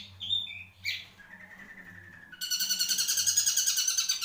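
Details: Caged Marlboro-type long-tailed shrike: a few buzzy high notes and a long level whistle, then a rapid chattering trill of harsh repeated notes running continuously to the end.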